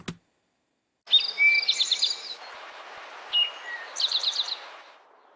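A towhee sings its 'drink-your-tea' phrase twice: two clear whistled notes followed by a quick, buzzy trill, over faint background hiss.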